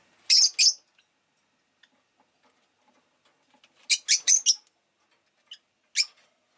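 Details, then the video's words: Rosy-faced lovebird, kept as a pet, calling with loud shrill chirps: a quick double at the start, a rapid run of four harsh notes midway, then a single sharp chirp. "Lovebird Chirping Sounds"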